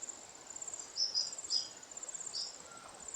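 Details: Lesser redpolls, largely females, feeding on seeds in alder cones in winter in the Maungakotukutuku Valley, Kapiti, New Zealand. Three quick high chirps, then one more, sound against a continuous shrill insect buzz.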